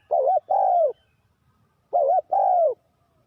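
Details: Spotted dove used as a lure to trap wild doves, giving two low cooing phrases about two seconds apart, each a short wavering coo followed by a longer, smoothly falling coo, with quiet background between.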